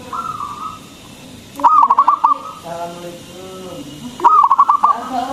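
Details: Frequently singing local zebra dove with a big voice, used to lure and excite other doves; two rolling phrases of rapid clipped coos about two and a half seconds apart, with softer tones between.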